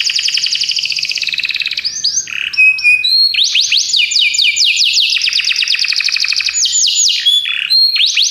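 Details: Belgian canary song, long and unbroken: a dense buzzy trill, short whistled notes, then extended runs of quick falling chirps repeated several times a second.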